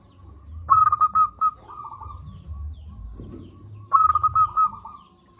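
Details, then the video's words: Loud-voiced local zebra dove used as a lure for sluggish doves: two phrases about three seconds apart, each a fast run of clipped coos trailing into a softer drawn-out note. "Perkutut lokal gacor suara besar"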